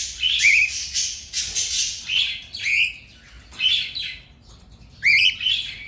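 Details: Playing cockatiels, recorded as companion sound for a single bird, give four bright upswept chirping calls, roughly one every second and a half, each rough-edged and rising at its end.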